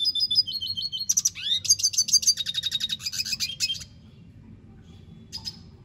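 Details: Red siskin singing a lively twittering song: high repeated notes, a rapid chattering run of buzzy trills for nearly three seconds, then a pause and one brief chirp near the end; faint low background hum.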